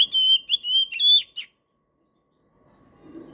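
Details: Oriental magpie-robin (kacer) in full song, a prompting and tutor recording for silent birds: a run of clear, high whistled notes, some held and some sliding up, packed into about one and a half seconds, then silence and faint low rumble.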